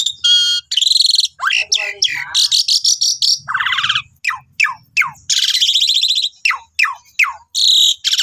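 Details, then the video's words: Caged Asian pied starling, singing constantly in a master song for training, delivers buzzy grating bursts, a run of sharp downward-slurred whistles repeated in quick succession, and rough chattering notes. "Guru vocal Jalak Suren Gacor"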